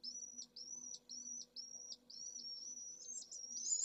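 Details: At a Pallid swift nest in Jerez de la Frontera, Spain, home to a single chick, 25 August at solar midday in a heatwave above 44°C: six separate shrill buzzy trills about half a second apart, then a longer unbroken scream.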